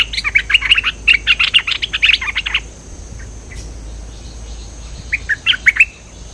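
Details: Cream-vented bulbul in full song as a lure: a dense two-second burst of bubbling, chattering notes, then a near-silent pause, then a shorter burst of similar chirps.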